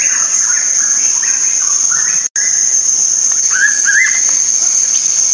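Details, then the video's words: Green magpie singing a series of short whistles and chattering slurs, with a clearer rising, twisting whistle in the second half, all under a steady shrill insect drone and a momentary break in sound. "suara burung paok hijau begitu mempesona"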